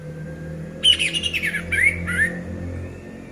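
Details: Song of an orange-headed thrush, used as a lure to get silent birds singing: a rapid run of short, slightly harsh notes that step downward, then a rising whistle and a falling slur, with low background hum.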